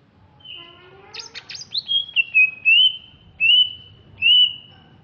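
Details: Greater green leafbird from Alas Purwo, Banyuwangi, East Java: low rising tones and a harsh high rasp, then strong clear whistles, some sliding upward, repeated at roughly half-second gaps.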